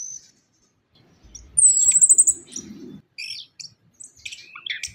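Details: Lure song of an orange-headed thrush, meant to prompt reluctant or young birds to sing: a sharp, very high rapid trill followed by scattered short chirps and whistled slurs, over soft low background rumble.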